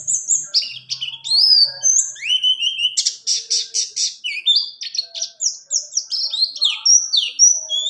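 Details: White-eye of the pleci buxtoni type in a varied, high warbling song for training other birds: jumping whistled notes, a buzzy trilled stretch, then quick slurred phrases; faint low hum at the start.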